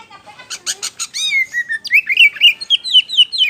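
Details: White-rumped shama singing loudly: a few buzzy rattled notes, then a rising whistle and a series of clear downslurred whistled phrases, about two per second.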